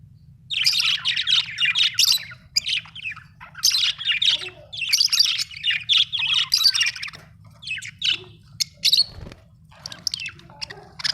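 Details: Australian budgie chirping in a dense, busy warble: fast runs of scratchy high chirps and squeaks with brief pauses, sustained almost throughout, over a faint low hum.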